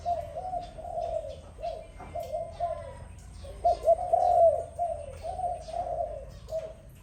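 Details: Dove heard in the morning giving short, low coos in rapid series with brief gaps, swelling into a louder, fuller burst of cooing near the middle before fading to softer notes.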